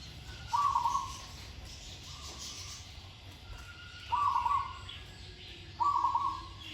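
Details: Zebra dove in training, singing with good phrasing: three loud rapid stuttering coo phrases, each under a second, plus two fainter ones between them, over a low steady hum.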